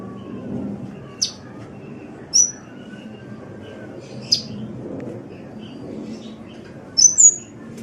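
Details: Indonesian sunbird masteran: sparse, single high sharp chips spaced a second or two apart, ending in a paired whistled slur, over steady low background noise.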